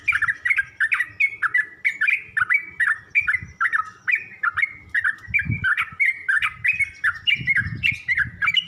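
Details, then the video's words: Yellow-vented bulbul in a teaching recording meant to help other bulbuls learn to sing. Steady, bouncing, warbled chirps come several times per second, with occasional dull low thumps behind them. "Suara pancingan dan masteran burung trucuk untuk trucuk belajar bunyi dan macet bunyi"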